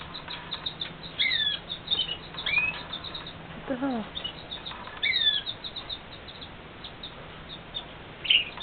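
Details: Pet Red Factor canaries indoors while singing and feeding their babies: scattered thin high chirps and quick downslurred whistles, a short run of lower falling notes midway, over a steady hiss with occasional camera zoom clicks.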